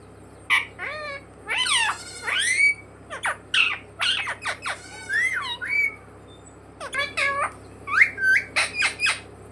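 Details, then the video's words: A parrot kept as a pet says "mummy papa" in scratchy, warbling voiced syllables, a dense busy sequence followed by a short pause and another burst, over a faint low hum in a small room. "मम्मी-पापा बोलने वाला सुपरस्टार मिट्ठू"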